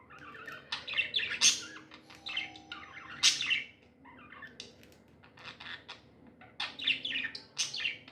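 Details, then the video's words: Happy pet budgies in a lively chirping bout, with quick bursts of buzzy, scratchy notes and clicks coming in clusters separated by short quieter gaps. "Happy budgies chirping sounds"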